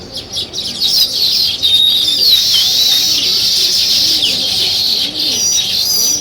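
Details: Morning sparrow chirping from a village, a steady, shrill, overlapping chorus with sliding whistled notes and faint low cooing in the background.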